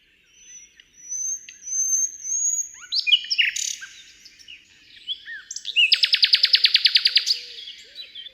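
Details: Common Nightingale singing hidden in a thicket on a spring or summer night in Britain: a long thin whistle, then quick chattering notes and sweeping slurs, ending in a loud, rapid, rattling trill repeated about twenty times.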